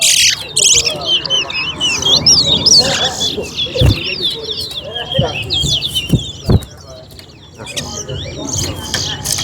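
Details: Chestnut-bellied seed finch, known as towa towa, in a song race at Alligator Park. Long runs of rapid high warbling with a short pause near the end, while a person counts up to the finish.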